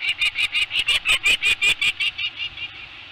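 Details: Peregrine falcon alarm chatter at an Anacapa eyrie during a short September nest visit: loud, harsh, evenly spaced rasping notes about three per second, fading after two seconds into quieter calls.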